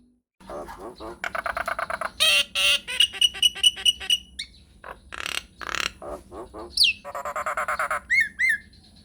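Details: Nias hill myna delivering long rolling song as a prompt to set other birds answering: rapid chattering runs of repeated notes, a string of clear level whistles, harsh rasps and a sharp downslurred whistle near the end.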